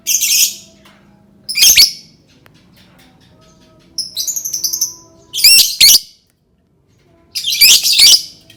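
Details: Lovebird song for prompting others of its kind to call: harsh high bursts mixed with a thinner, wavering chatter and a few doubled screeches, with long quiet gaps.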